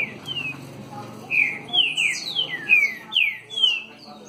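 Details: A Green-winged saltator nicknamed "dançarino", singing face-on, delivers a fast run of loud, clear, downslurred whistles, about three a second, over a faint low background hum.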